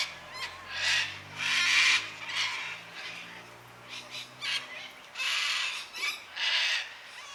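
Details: Cockatoos squawk on a quiet Sunday afternoon at about 5 pm in daylight saving time. Harsh, raspy shrieks come in uneven clusters, some overlapping, over a faint low drone.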